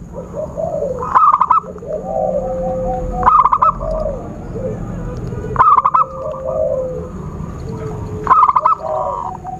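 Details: Lure sound for trapping zebra doves: four bursts of quick, clipped cooing, about every two to three seconds, separated by wavering mid-pitched whistles and a faint high whine.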